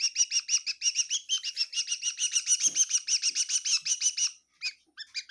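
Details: A bird chirping inside a kitchen in Tseminyu, Kohima: a rapid, steady run of bright, high chirps, about four per second, then a brief pause and a few scattered notes.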